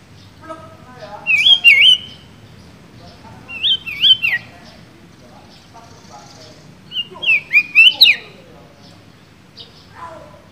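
A sooty-headed bulbul sings bright whistled phrases borrowed from magpie-robin song, in three short bursts.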